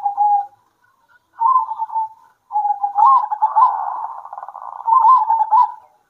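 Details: Local zebra doves answering each other at midday with short soft coos that build into a long rolling trill and end in bright slurred coos.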